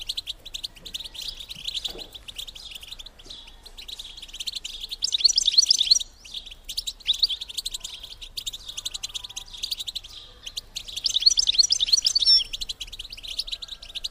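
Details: Long run of female European goldfinch bitbita twittering aimed at stimulating males to mate; continuous high chirping swells into two intense bursts rich in squeaky rising notes, with short pauses between.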